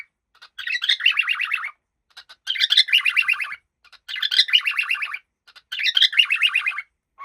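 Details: Regular bursts of rapid, rasping chirps from a happy pet cockatiel, four phrases roughly a second long spaced by short silences.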